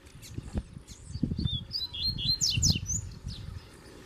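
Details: Double-collared seedeater dueling with a strong wild black male during a field outing with a kept pair; rapid high chirped and slurred notes over low rustling and handling thumps.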